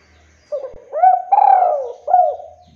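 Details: A single coo phrase from a male spotted dove used to lure other doves: a brief low note, then a rising coo, then a long descending drawn note, then a short hooked coo at the end.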